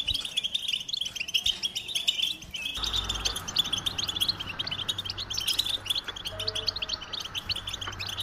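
American goldfinches sing a continuous, bright, high twittering of quick chirps and trills, with several birds overlapping. A soft tonal background, possibly music, runs underneath.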